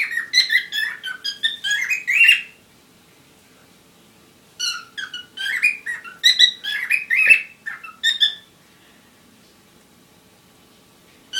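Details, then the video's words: Parrots in courtship: bursts of chattering squeaky chirps and short whistles in two groups of about two to four seconds, separated by quiet. "Любовь попугаев"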